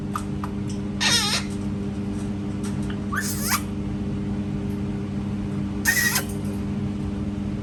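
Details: Parrot copying cat sounds inside a room: one wavering, descending meow-like cry, then two shorter, harsher squawking bursts, over a steady background hum.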